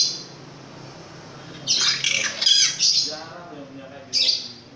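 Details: A quiet opening gives way to a long-tailed shrike's loud, rough, churring phrase of about a second and a half. One shorter harsh burst follows, over faint background noise.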